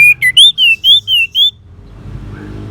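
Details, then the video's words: An orange-headed thrush (Geokichla citrina) sings a quick run of seven clear, high whistled notes, each slurred slightly up or down, over about one and a half seconds, then falls quiet. The clip is used as therapy to get silent birds singing. "Suara ANIS MERAH"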